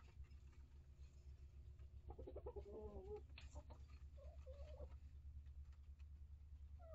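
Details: Mixed-breed chicken flock in a coop, hens about one year old plus young chicks; a rapid run of throaty, stuttering clucks followed by a brief whining note, over a loud pulsing low hum and light clicks.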